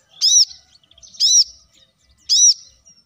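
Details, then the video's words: Plain-throated sunbird (kolibri kelapa) song, a training and lure recording used to make other birds sing. Three high, arched, sweet notes come about once a second, each a quick rising-then-falling slur, with quiet gaps between them. "kolibri kelapa | manggar | wiceh | masteran untuk burung ijoan agar cepat bunyi gacor"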